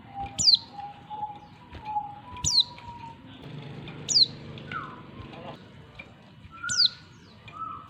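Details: Female Oriental white-eye calling the male, used to lure males: a sharp high downslurred chirp repeated roughly every two seconds, over faint low steady tones and a soft background hum.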